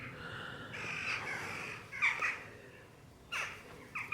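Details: Jackdaws, a type of corvid, calling in Malmesbury: harsh, hoarse, scratchy calls in short bursts, several overlapping, repeated through the recording in an outdoor garden setting.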